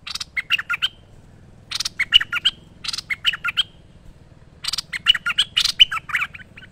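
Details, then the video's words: Merbah lekir bulbul singing in a master training recording: four brisk phrases, each opening with a harsh chip and running into a string of quick, gurgling whistled notes. "Merbah Lekir Gacor Masteran Terbaik"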